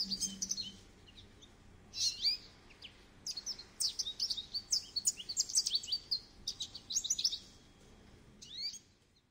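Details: High, rapid goldfinch twittering in several phrases: a short opening burst, a longer jumbled run of sharp chirps and trills in the middle, and a final brief phrase before fading.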